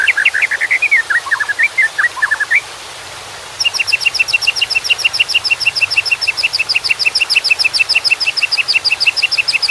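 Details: White-rumped shama song over a steady background of water, starting with varied warbled whistles, then a long fast series of sharp repeated high chips.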